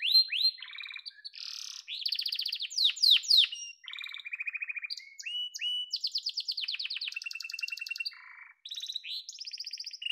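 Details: Varied canary song from a yellow bird: fast twittering rolls, loud sweeping notes, evenly pulsed mid-pitched trills and a brief low rattle before the song resumes.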